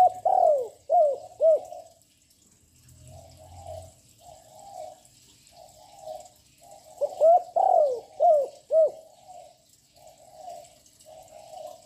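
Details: Young spotted dove cooing without pause to provoke other birds: two loud, close phrases of ringing coos framing a run of softer, muffled answering coos, with a brief low thump between.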